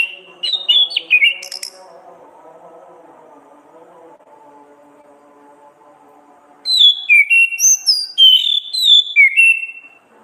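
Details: Orange-headed thrush song in ngeplong gacor ngriwik style for masteran training: a burst of quick high whistled notes, then a long stretch of low steady humming drone, then a fast run of varied sliding whistles.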